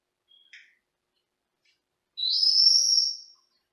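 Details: A pet Senegal parrot, a bird that also mimics speech, meows and whistles. Here it gives two brief chirps, then after a pause a loud, harsh, sustained scream lasting over a second, with no other sounds.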